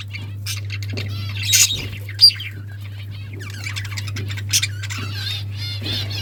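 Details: Budgerigars, pet Australian parrots, chattering with dense high warbles, squawks and clicks in overlapping bursts, over a steady low hum throughout.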